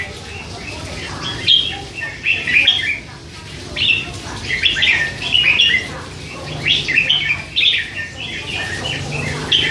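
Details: Hand-reared red-whiskered bulbul, three months old, keeping up its all-day chatter: a dense, uneven stream of short, scratchy-to-sweet warbled notes in loose groups, with low background noise throughout.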